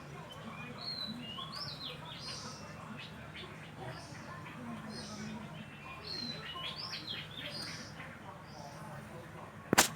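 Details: Oriental magpie-robin singing at Ban Wat Phra Koet, Falami subdistrict, Phatthalung province, Thailand: a steady run of short, varied whistled phrases, some rising, some falling, over a low background hum, ending with a sharp knock.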